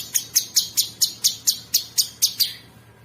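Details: Masteran recording of a sooty-headed bulbul, meant as rough tutor fill for champion songbirds. About ten crisp, harsh chirps come evenly, around four per second, then stop abruptly, with a quiet background.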